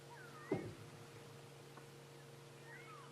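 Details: Go-away bird giving a single loud, nasal, drawn-out 'waah', not frantic, taken as a contact call between go-away birds rather than an alarm, followed by fainter calls; steady engine hum from a safari vehicle on a cold morning.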